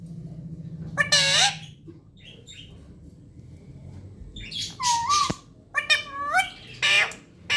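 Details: Pet parrot talking: a raspy voiced burst, a quiet stretch with soft chirps, then a sustained clear whistle followed by several scratchy speech-like syllables in quick succession.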